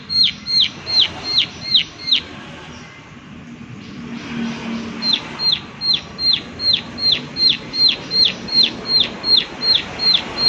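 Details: A prinia's series of high, falling 'klik' ticks breaks off after two seconds. A quieter pause with soft background noise follows, then the evenly spaced calling resumes at about three per second.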